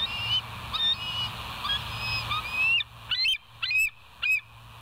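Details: Live-cam recording of bald eagles at the West End nest, 09/11/2023 at 02:31: soft scattered whistles building into louder high chittering notes, three in a run, over low hum and hiss.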